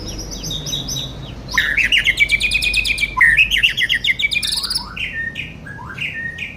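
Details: Young White-rumped shama singing: varied whistled phrases, a long rising-and-falling run of rapid bright notes, then short downslurred whistles repeated at the end.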